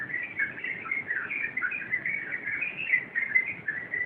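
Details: Rambling rompelan song of a sooty-headed bulbul: steady stream of chattering, bubbly warbled notes without pause, fairly even in loudness, no other clear sounds.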